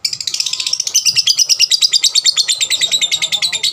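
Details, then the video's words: Lovebird song used as a lure to make other lovebirds sing more: one long, rapid, unbroken chatter of high, scratchy notes, about three per second, continuing steadily throughout. "pancingan lovebird paud rajin bunyi... merangsang lovebird lain lebih gacor"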